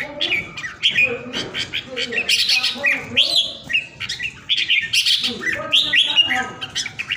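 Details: A pet red-whiskered bulbul, kept and well cared for at home, sings rapid, bright, warbled phrases in several short bursts every second or so, with a softer, lower chatter underneath.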